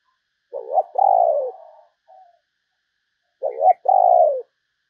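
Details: Spotted dove used as a decoy to lure other doves, giving a low, mellow two-part coo: a short wavering note, then a longer, falling croon. The phrase comes twice, about three seconds apart, against a silent background.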